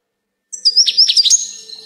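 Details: A brief goldfinch phrase: a thin, high whistle runs under a few quick, slurred twittering notes that waver and carry on to the end.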